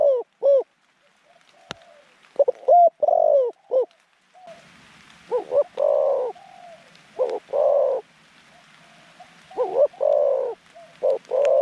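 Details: Caged decoy zebra dove with a medium-pitched voice, cooing to lure wild doves into a trap enclosure: quick staccato double notes, then long rolling coos, repeated in bursts, with softer slurred coos between.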